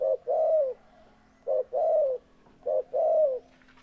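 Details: Repeated cooing of a spotted dove. Each phrase is a brief coo and then a drawn-out, smoothly falling coo, given three times at steady intervals over a faint constant low hum.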